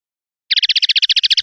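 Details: Common linnet song: a single rapid, even trill of about fourteen bright, clipped notes packed into under a second, clean and high-pitched with no other sounds.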